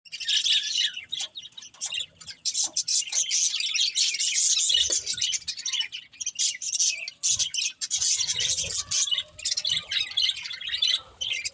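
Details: Several budgerigars chirping: dense, scratchy, high warbling chatter that runs almost without break, with short pauses near two and seven seconds, and a few low bumps of handling noise underneath.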